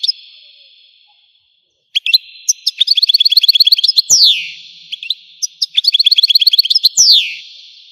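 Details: Algerian goldfinch starts with a short buzzy note, pauses, then launches into rapid twittering phrases, each ending in a long downward-sliding whistle, repeated twice.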